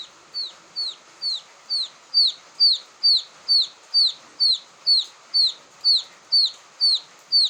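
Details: Quail chick calls used to lure quail: a very regular run of clear, high, downward-sliding peeps, about two each second, rising in loudness after the first few notes.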